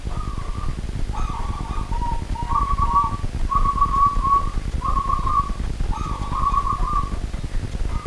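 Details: Zebra dove of local wild stock calling actively at night: a steady series of soft, purring coo phrases at one even pitch, each lasting under a second with short gaps between, repeating about every 1.2 seconds over a low background rumble.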